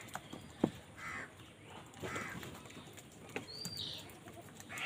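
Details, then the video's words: Crows fighting over food, giving a few hoarse, harsh caws spaced about a second apart against a faint rustling, noisy background with scattered clicks. "কাকের ডাক Crow Sound Crow ki Awaz Loudly | Crow bird Fight for Food"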